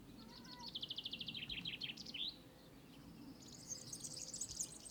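European serin singing a fast, very high, jingling twitter of tinkling notes that runs on without pause, over faint background hiss.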